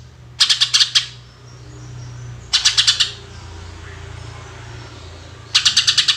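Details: Greater green leafbird singing in the rapid 'tembakan' style, played as a lure for other birds: three bursts of fast, harsh, rattling high notes, about six pulses each, separated by pauses over a low steady hum.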